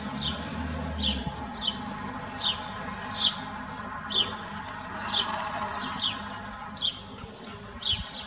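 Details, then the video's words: A close-up, hand-tame sparrow singing in 2021 gives short, bright, falling chirps, about one every three-quarters of a second, over a low steady hum and faint rustling. "śpiew/dźwięk wróbla"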